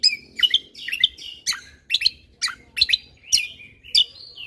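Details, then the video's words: Caged lesser green leafbird in full, lively song, delivering sharp chattering and whistled notes in quick bursts roughly every half second, steady and loud throughout. "Cucak Kombo Gacor Mentalan"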